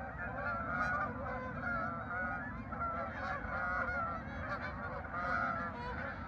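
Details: Honking geese at a farm park on 10 November 2024; several clear, drawn-out nasal honks stand out above a crowded flock chorus, recurring roughly every second, over low background rumble.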